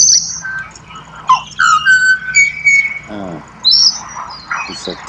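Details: Australian pied butcherbird delivering melodious whistles, high thin notes, then a clear descending phrase and level fluted tones, with a short burst of human speech in the middle and a high whistled slur after it.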